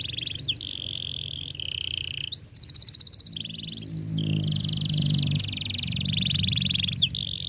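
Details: Canary song used as a lure to teach young canaries to sing: long buzzy trills and rolled phrases, a fast rattling series midway, with low rumbling background noise throughout.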